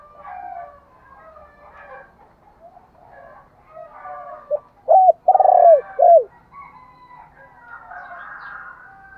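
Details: Spotted dove lure call: a single mid-pitched phrase of short notes framing a long trembling coo, with quieter overlapping coos of other doves before and after.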